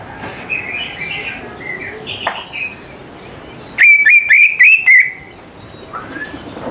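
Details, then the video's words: Greater green leafbird song used as a lure for young birds to join in: soft scattered warbles, then a loud one-second burst of rapid repeated whistled notes, followed by quieter phrases. "CUCAK IJO GCOR SANGAT AMPUH BUAT PANCINGAN CUCAK IJO MUDA"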